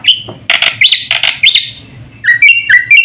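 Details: Short burst of a black-winged starling's fast song, used to stir and train other birds: noisy harsh notes with upswept whistles, then a few clear, sharp whistled notes at a higher pitch.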